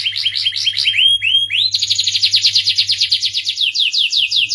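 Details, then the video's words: Starblue canary delivering varied song: a few swooping slurred whistles that rise and fall, then a switch to a sharp, fast trill of downslurred notes repeated rapidly; low background hum. "suara merdu kenari starblue"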